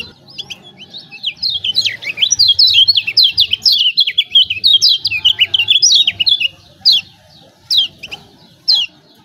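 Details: Lemon-bellied white-eye from Lombok, a lure meant to draw silent birds into singing: a long, dense stream of high, sharp twittering notes for about six seconds, then a few isolated chirps.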